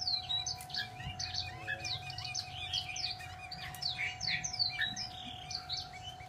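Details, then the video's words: Energetic Chinese hwamei song of clear, repeated downslurred whistles and busy chattering phrases delivered almost without pause, accompanied by a steady mechanical hum. "chim hạo mi"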